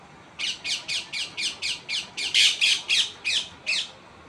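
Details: Tree parrot giving a fast series of about thirteen harsh, raspy squawks, roughly four each second, some louder in the middle of the run, over a quiet background.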